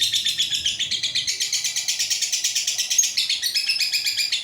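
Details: Caged pet lovebird singing a long continuous chattering trill, real and unedited: rapid buzzy pulses around eight per second, high and harsh, running unbroken through the whole stretch with no other sounds.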